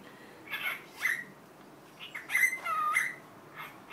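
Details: Pet cockatiel that learned Korean 'annyeong' produces a few rasping syllables, then a longer smooth whistled phrase with a slight downward bend, followed by a soft final note.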